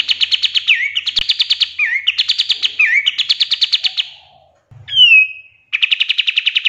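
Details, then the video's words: Pied triller singing full 'tembakan' bursts as a songbird tutor: rapid chattering trills broken by dipping slurred notes, a pause, a descending whistle, then another quick trill. "GACORRR DORR !!!! PANCINGAN KAPAS TEMBAK FULL TEMBAKAN COCOK BUAT MASTERAN"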